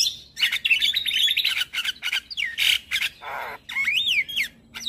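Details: Morning song of a very vocal white-eyed Javan myna used to coach other birds: dense scratchy chatter, a buzzy rasp, then clear slurred whistles rising and falling.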